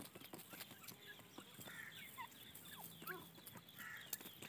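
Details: Farmed grey francolin chicks give soft, brief chirps and peeps at irregular moments, with scattered clicks and tapping sounds in the background.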